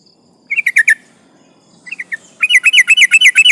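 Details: Sooty-headed bulbul, sung to provoke opponents: a short group of four bubbly whistled notes, a brief quiet gap, a softer trio, then a fast rolling series of about ten chirpy slurred notes.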